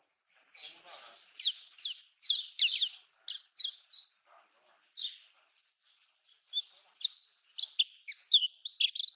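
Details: Lombok-style Lemon-bellied white-eye song, used to prompt silent caged birds: scattered high, thin chirps in loose bursts with gaps, and a quicker cluster of sharp notes near the end.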